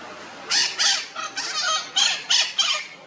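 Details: Red-shouldered macaws back at their nest in the morning, checking that no other bird has taken it; seven harsh, rasping squawks in quick succession, bright and buzzy, some closely paired.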